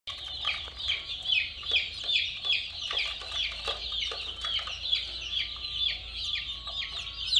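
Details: Colourful chicken chicks chirping together: many high, thin cheeps overlap rapidly and continuously, some sliding downward, with a low rumble underneath.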